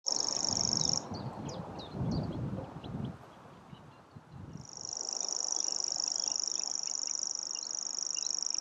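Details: Common grasshopper warbler (nominate subspecies naevia) singing in Anderlecht, Belgium, in April 2024. A very high, dry, insect-like reel runs unbroken for about a second, stops, then resumes for four seconds. Low rumbling traffic or wind noise fills the gap.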